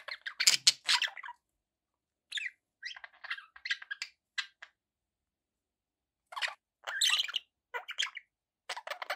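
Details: Pet budgies making scratchy squeaks and warbling chirps in scattered groups, a loud rough burst at the start, then softer chirp runs and a longer pause before more chattering.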